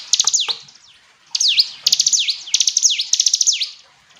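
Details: Hill prinia song: bright, high notes in quick bursts, each sweeping sharply downward then back up, given in several rapid phrases with short pauses between.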